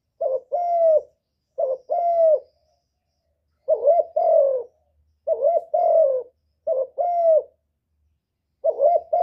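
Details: Spotted dove calling to stimulate birds: paired coos, a brief note followed by a drawn-out wavering one, given six times with short pauses between; clean background with nothing else heard.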